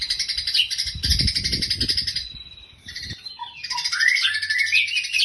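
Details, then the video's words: White-rumped shama with a sparrow-flavoured song, giving rapid harsh chattering, a brief lull, then clearer whistled slurs and fast twittering phrases, with low thumping noises early on. "murai rasa gereja"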